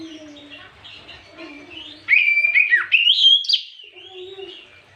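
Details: Oriental magpie-robin singing in the afternoon, used as a lure to provoke other magpie-robins; after two seconds of low steady tones, loud bright whistled notes rise and fall, then the song fades to quieter low tones.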